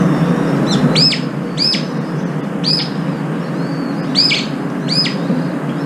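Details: Brown-eared bulbuls gathered at a morning feeding place, fighting and flying up at each other. Sharp, downward-arched squeals repeat about every half second to second, mixed with wing flapping, over a low background hum.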